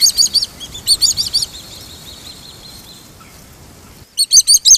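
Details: Swallow-tailed kite recorded in Brazil giving rapid series of shrill, piercing notes, four to six in quick succession, broken by a pause with a thin high trailing tone, then another sharp burst.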